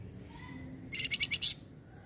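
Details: Flamboyan bird, noted for answering noisy sounds at once, produces a short rattle of five buzzy pulses ending in a louder, higher final note, over faint low hum.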